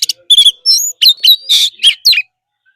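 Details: Caged Oriental magpie-robin in forest-style training song: brief bright whistles and a high double slur, then rough buzzy notes and swooping chirps in a short burst.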